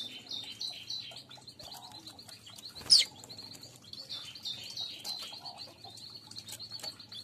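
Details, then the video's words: Weaver song played to lure weavers, meant for birds kept as a group: a steady, thin, high twittering chatter runs throughout, broken by one sharp loud note near the middle. "Pancing burung Manyar"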